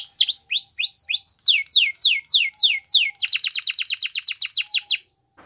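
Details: Spanish Timbrado canary song for training: series of repeated tours, first rising-falling whistled notes about three per second, then rapid descending sweeps, then a fast trill of short notes, ending abruptly in silence.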